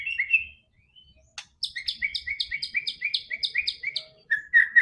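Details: White-rumped shama song used to encourage a silent bird to sing: a short whistle, then a sharp click followed by a fast, even series of about a dozen paired chirps, ending in a lower whistled note.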